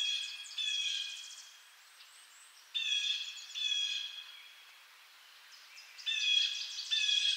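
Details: Blue jay from eastern North America: repeated harsh, buzzy jeers in uneven pairs with quiet gaps, some squeaky softer notes mixed in, the calls fairly distant.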